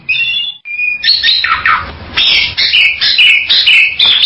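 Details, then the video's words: Bali myna producing loud mixed vocalizations: steady whistled tones, downward-sliding squawks and repeated harsh, buzzy notes, given in an uneven rapid series. "SUARA BURUNG JALAK BALI"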